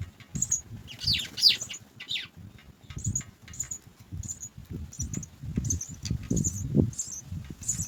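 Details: House sparrow chicks, three in a nest, awaiting food: rapid high-pitched begging cheeps repeated throughout, mixed early on with a few lower, more varied chirps, over a low rumbling background.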